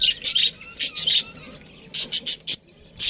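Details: Pet budgerigars give clusters of short, harsh high chirps in quick bursts, separated by brief pauses.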